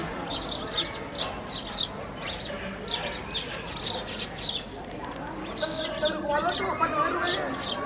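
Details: Sparrows feeding on a loaf of bread while playing, a flock chattering with rapid, irregular high chirps roughly twice a second over constant background hiss.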